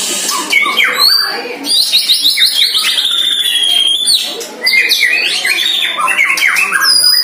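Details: Year-old White-rumped shama attacking a neighbour's shama during its first training: piercing high whistles held and sliding, rapid buzzy trills and chattered phrases, a short lull, then more shrill whistled notes.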